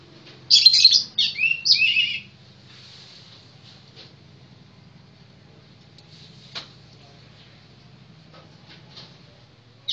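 Oriental magpie-robin: one loud burst of rich, fast-modulated whistled notes lasting about two seconds, then near silence over a low steady hum and faint clicks.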